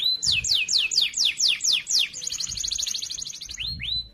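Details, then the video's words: Canary giving a loud, clear training song for other canaries: a series of about eight quick downward-sweeping whistles, then a fast, even, buzzy trill, closing with one rising whistle. "Masteran Burung Kenari Suara Lantang Dan Jernih"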